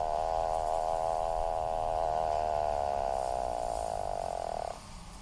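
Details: Atlantic puffin with a long, steady, buzzy moan lasting nearly five seconds, slightly wavering in pitch, then stopping abruptly into quiet background.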